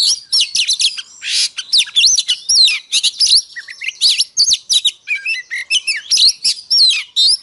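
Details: An Oriental magpie-robin sings in the morning, pouring out a rapid, varied fighting song of sweet whistles, slurs and harsh notes.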